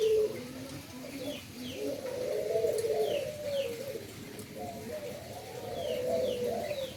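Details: Doves of an endemic Indonesian kind at a breeding site in Indonesia: a steady bed of low, rolling coos from several birds, overlaid by brief high downslurred chirps of other small birds.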